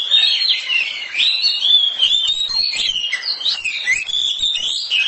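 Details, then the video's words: House-kept oriental magpie-robin singing loudly: a continuous, melodious warble of sliding whistles and chips that fills the whole recording. "KACER RUMAHAN KICAUNYA NYARING"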